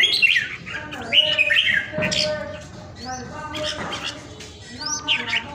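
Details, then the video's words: A pet Vietnamese red-whiskered bulbul, well cared for and singing powerfully, pours out bright, chattering whistles with quick rising slurs in bursts about a second apart, with faint voices underneath. "PHI CƠ MẶT ĐẤT CHÀO MÀO"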